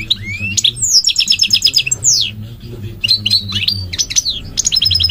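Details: Singing goldfinch delivering fast liquid twitters, rising and falling slurred whistles and quick rattled trills in varied phrases, with a faint low background hum.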